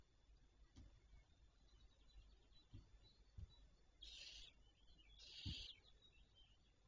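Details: Two harsh, breathy barn owl screeches, each under a second and a second apart, over soft low thumps and a quiet background hum, recorded 26 May 2023 at 08:12.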